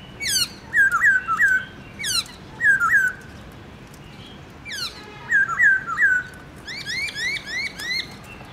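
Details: Black-throated laughingthrush, a kept songbird, singing its morning forest-voice style with many notes: clear slurred whistled phrases in short bursts, then a run of quick, rising, ringing notes repeated about twice a second.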